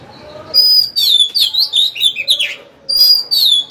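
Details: Caged Oriental magpie-robin kept as a decoy, singing to lure rival birds into a fight; rich, varied whistled phrases with quick slurred notes in two loud bursts separated by a short pause.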